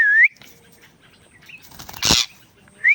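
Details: Indian ringneck parrot making sounds: a bright upslurred whistle, a short breathy noisy burst midway, then another rising whistle to close.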